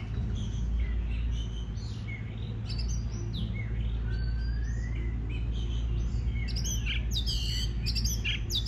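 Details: Song of an Oriental magpie-robin for encouraging other birds to sing: a busy stream of varied whistles, slurred rising notes and sharp clicks, denser and higher toward the end, under a strong steady low rumble.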